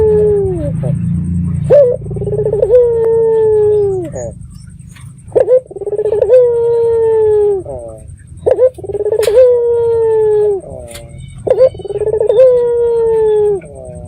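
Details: Local red-eyed dove cooing as a lure to provoke answers from other doves: long mellow phrases about every three seconds, each starting with a sharp throb and holding a steady tone that drops at the end, with faint constant high ticking.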